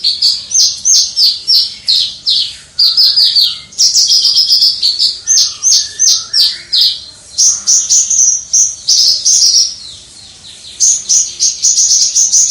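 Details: Javan bush lark, a hobbyist's caged singer, delivering its crystal-voiced song from a distance; long runs of rapid high chirped and trilled notes with short gaps and one brief pause near the end.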